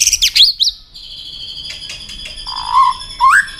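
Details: Fired-up white-rumped shama singing in a fight-song display: quick high chirps, then quiet sustained tones and two lower, rich slurred whistles.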